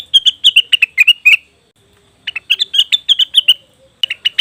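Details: Cucak wilis or rengganis leafbird, used to attract wild birds: rapid strings of high, sharp twittering notes, about four per second, breaking off, resuming and ending with a few last chirps.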